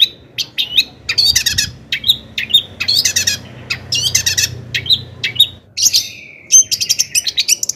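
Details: Loud, varied song of a long-tailed shrike, played to provoke other shrikes into singing: harsh buzzy bursts mixed with sliding whistles and chattering runs, then a quick series of sharp chips at the end.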